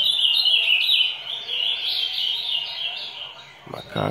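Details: A captive Ultramarine Grosbeak (azulão "fala grossa") in a song-training session sings a rapid, warbled run of high, sweet notes that rise and fall for over three seconds, ending with a brief thump.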